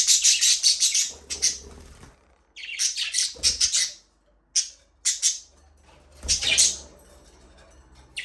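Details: Budgerigars chirping in an aviary: loud bursts of rapid, high chirps and shrill warbles separated by brief pauses, some short isolated notes, with a few low thumps between bursts.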